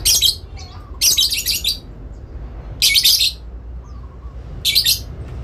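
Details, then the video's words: A parent lovebird gives long, shrill, rasping bursts of high chatter, four outbursts about a second apart, answering back and forth to call a rival, against a low background hum. "induk love bird ngekek panjang , saling nyaut memanggil lawan"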